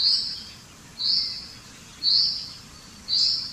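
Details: Common chaffinch (Fringilla coelebs): one high, slightly slurred note repeated about once a second at an even pace. The background is quiet.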